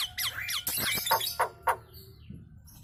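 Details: Nias hill myna in lively chattering form, said to set other birds calling along; rising and falling whistled notes, then harsh broadband squawks and three short loud bursts near one second apart, fading to quiet background hum.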